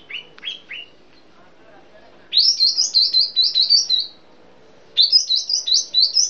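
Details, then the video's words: Sooty-headed bulbul from Sumatra in the 'piai' song style: a few short chirps, then two bubbly phrases of five or six quick, high, slurred notes, each phrase rising slightly. "Burung kapas tembak sumatra (piai 1)"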